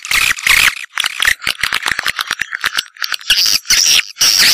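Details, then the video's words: Swiftlet lure sound meant to draw swiftlets in: bursts of rattling clicks alternate with shrill, high chirped twitters, loud and broken into short blocks. "Suara Panggil Burung Walet"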